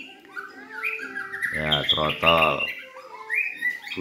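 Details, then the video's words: Young (speckled juvenile, about 3.5 months old) black-legged Medan white-rumped shama singing loudly, giving short, clear whistled phrases that rise and fall, broken up by a man talking loudly in the middle. "Murai Trotol Gacor"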